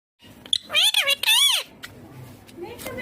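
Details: Green ringneck parrot talking: two loud bursts of high, harmonic chatter with arching, wavering pitch in the first half, then quieter clicks and faint indoor background.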